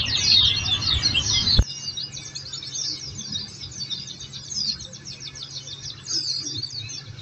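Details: Oriental white-eye training-recording song for caged birds: loud high twittering that drops suddenly after a sharp click, then continues quieter as fast, repeated chirping notes.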